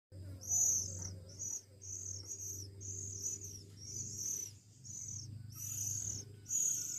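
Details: Oriental magpie-robin chicks, one week old, being hand-fed; repeated high, thin, arched squeals in bursts, some long and drawn out, with a steady low hum underneath.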